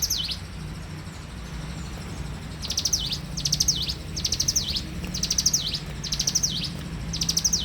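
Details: Bar-winged prinia in morning song. After about two and a half quiet seconds, a run of phrases begins: fast high ticks ending in a dipping whistle, roughly one per second; steady low rumble behind.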